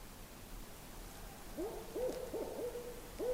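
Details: A Barred Owl calls on a clear night during a backcountry trip in the far north. It gives a run of five rising, slurred hoots about half a second apart, low and resonant, against quiet surroundings.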